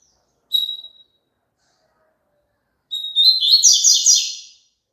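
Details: Double-collared seedeater singing, a recording meant for a caged bird to join in: a short whistled note, a pause of two seconds, then a whistle sliding into a fast, scratchy, warbled phrase.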